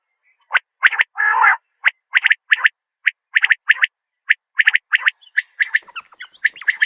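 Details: Calling common quail gives crisp clipped notes, often in rapid triplets, spaced by short pauses, with one brief rasping burst early and a denser cluster of chirps at the close.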